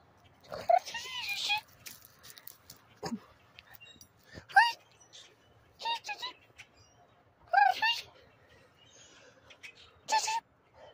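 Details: Very hyper common grackles in Charlottetown, Prince Edward Island, give harsh, squeaky calls: short rasping bursts with creaky notes every couple of seconds.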